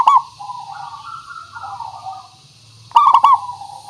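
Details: Local zebra dove song, used as a lure to make other doves answer: a short burst of quick rolling cooing notes, a long soft wavering hum, then another rolling coo burst near the end.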